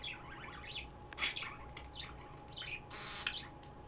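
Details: A pet bird indoors makes soft twittering and a few brighter high chirps in short bursts, with a steady hum and thin high tone in the background.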